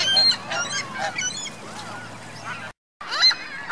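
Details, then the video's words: Geese with goslings at Reno's Virginia Lake on 2 May 2013, busy high peeping and squeaky chirps from several birds, a brief silent gap, then more rising and falling peeps. "Geese Goslings Reno Virginia Lake"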